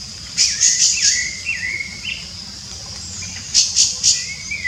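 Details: Wild rufous-bellied thrush in free song, delivering clear whistled phrases that slide and step between notes. Loud clusters of three sharp high chirps come from another caller, with steady insect-like hiss behind.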